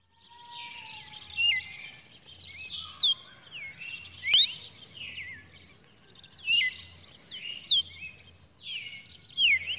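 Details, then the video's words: Red-cowled cardinal singing, recorded 23 June 2019: bursts of slurred, partly buzzy whistled phrases in a high register, repeated roughly every one and a half seconds, with a faint low pulsing hum beneath. "Galo de campina"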